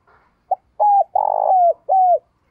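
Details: Decoy spotted dove calling wild birds in the morning: a short soft note, then three loud, low, hoarse coos, the middle one longest and ending in a falling slur, the last a drawn-out descending coo.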